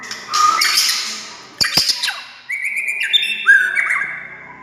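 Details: White-rumped shama singing to provoke other shamas: a rich high chatter, then sharp snaps, then long stepped whistles sliding between levels.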